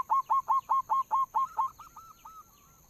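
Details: Local zebra dove as a lure sound, loud clipped whistled coos repeated rapidly, then fading into softer, longer drawn notes that trail away.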